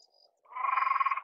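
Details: Great crested grebe (Podiceps cristatus) giving a single drawn-out, harsh, nasal rasp that starts after a brief quiet moment.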